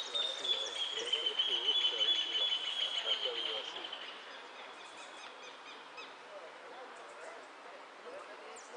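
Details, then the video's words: Goldfinch named El Arlequin, which placed fourth in the "blanco de repique" category at the Zona Norte contest on 8 December 2014, sings a long, high, sustained whistle with fast twittering trills that fades after about four seconds over faint hiss. "Jilguero El Arlequin 4to puesto en blanco de repique"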